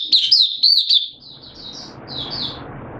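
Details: Caged oriental white-eye singing, 8 September 2022. Loud, quick twittering notes open the phrase, then softer, fading high chirps trail off against faint background hiss.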